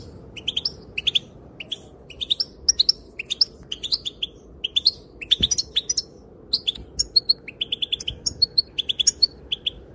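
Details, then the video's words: ['Female European goldfinch calling, said to make males dance: rapid scattered high chirps and twittering notes throughout, over a steady low hum.'] "Sounds and calls of the female goldfinch make the males dance"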